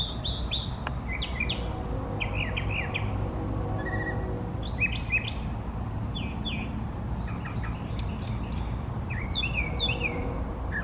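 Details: Brown thrasher, a male singing at length from open trees in a natural setting, delivers varied, rapid phrases of harsh and sweet notes, many pairs repeated, in quick succession, over steady low background rumble.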